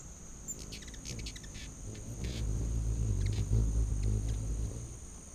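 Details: Hummingbirds feeding on a back deck in late August 2019, a deep humming buzz of wings swelling and holding for several seconds, with faint high chips and a continuous shrill insect drone.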